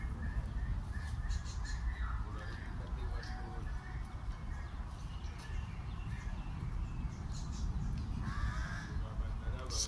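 A pied crow gives a series of short, harsh caws, several spaced through the clip, over a heavy low rumble and a person talking.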